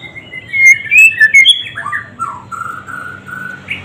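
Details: White-rumped shama in full song, loud and close: rich, clear whistles with slurred rising and falling notes, then a series of lower, mellow descending whistles.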